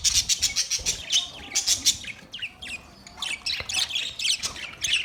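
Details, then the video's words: Budgerigars chattering in a dense, continuous stream of high, scratchy chirps and short squawks, rapid bursts clustered close together with barely any pause between them. "Budgies chirping sound"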